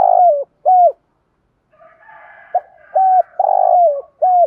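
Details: Spotted dove cooing call used to excite other doves into calling: low, hoarse, mellow coos in short flat-then-falling phrases, repeated in pairs with a pause, a quieter murmuring coo in the middle.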